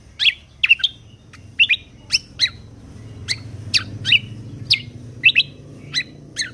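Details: Kecial kombok (lesser green leafbird) in a full 'tembakan' song for training contest birds: loud, sharp, high chips with down-slurred tails, spaced irregularly, mostly singly or in pairs, over a quiet low hum.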